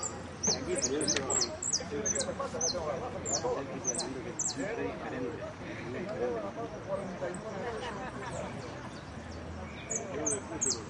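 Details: Competition jilguero in repique style gives a fast series of short, high, downward-sweeping notes, dense at first and then sparser, while men talk throughout.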